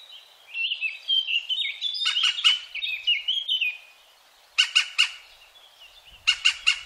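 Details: European green woodpecker, 2017, Wittlich: a stretch of thin squeaky twittering notes leads into two bursts of three and four harsh, loud, evenly spaced 'kyück' notes.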